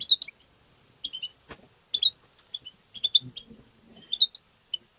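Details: European goldfinch singing in the tabta style, played to stimulate other goldfinches: short bursts of high, tinkling twittered notes separated by brief pauses, with faint low knocks in between.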